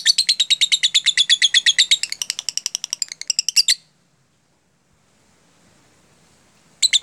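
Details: Lovebird lure recording in the 'jeda rapat' (tight-gap) style. A long, rapid series of shrill, high chirps runs for almost four seconds, then falls silent. A brief burst of chirps returns at the very end.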